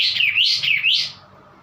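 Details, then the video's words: White-eye giving what is called a strange sound: a high, wavering warble swooping up and down twice before fading away. "kapas tembak bunyi aneh"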